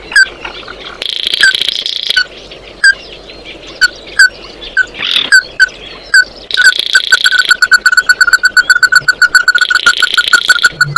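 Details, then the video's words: Flock-gathering song of the Oriental white-eye: spaced single chips and thin buzzy twittering, then a long quick string of evenly repeated short notes with further high chatter overlaid. "Tiếng kêu của chim Tí Hỉ, Chim Mắt Đỏ hót gọi bầy"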